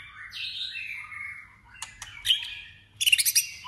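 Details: White-rumped shama singing competitively in voice training: a sweeping whistled phrase falling from high to mid pitch, then sharp clicks and a burst of rapid high chattering notes near the end.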